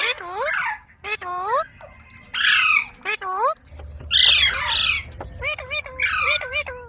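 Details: Pet ringneck parrot calling in sharp, nasal squawks with dipping then rising harmonic shapes, mixed with rougher screechy bursts, several calls every second or so against a low background hum.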